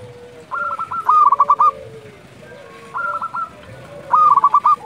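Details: Local zebra dove calling at dusk, a lively caller: three bursts of rapid, rolling, stuttered coos, each a quick run of pulsed notes, separated by short pauses, with softer doves cooing in the background.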